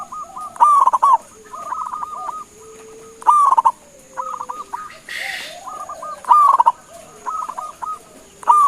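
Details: Local zebra dove, a prolific caller, singing so that others answer: repeated phrases of an emphatic first note and quick staccato coos about every three seconds, softer lower coos in the gaps and a brief rustling noise midway.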